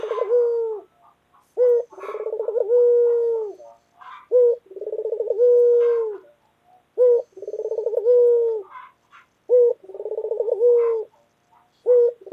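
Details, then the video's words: Persistent cooing by a white local collared dove: about five phrases, each a short accented note, a quick rolling trill and a long even coo, repeated roughly every two and a half seconds. "Puter Lokal Gacor Suara Keras | Pesona Suara Kicau Burung Puter Putih Gacor Dor Yang Menawan"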